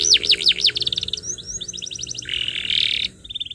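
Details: Canary song used as a tutor recording for young birds learning to sing: rapid rising-falling whistled sweeps, then a dense run of short chirps, then a steady buzzy rolled trill and a brief whistle.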